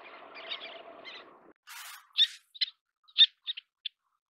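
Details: While feeding chicks, a little tern gives a few sharp, clipped, harsh notes after a stretch of rushing noise and a brief burst of hiss, the notes spaced irregularly.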